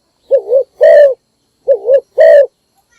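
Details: Spotted dove decoy bird, morning call to lure wild doves: two loud phrases, each a wavy double-humped coo followed by a longer steady coo, about 1.4 seconds apart.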